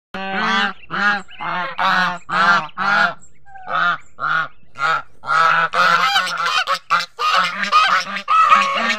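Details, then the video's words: Adult geese protecting their goslings give a rapid series of harsh, nasal honks, roughly two per second, growing louder and more overlapping toward the end as several birds call together. "Adult Goose are so protective to their goslings"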